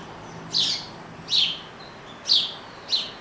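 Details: Pet male Double-collared seedeater (coleiro) gives four short, bright, buzzy chirps about one a second against quiet hiss; he sings all day, pausing only to eat.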